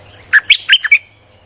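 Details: Lure recording of a Streak-eared bulbul, used to draw in wild birds: one rapid phrase of five short, bubbly chirps rising and falling, against a faint constant high hum.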